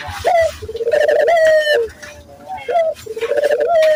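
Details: Cooing Barbary dove, recorded as a training lure for local doves. Two full phrases, each a quick upward note followed by a sustained, slightly wavering purr that falls at the end. A faint low hum is underneath.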